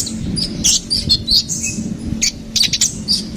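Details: Ruby-cheeked sunbird singing in lively bursts: short, very high sharp notes and squeaky twitters, separated by brief pauses, over a low steady hum.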